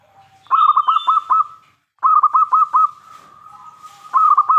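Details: Singing local zebra dove with a big voice, used to coax other doves into calling back. Quick runs of five or six bubbling coo pulses, a long even tone, then another pulsed run.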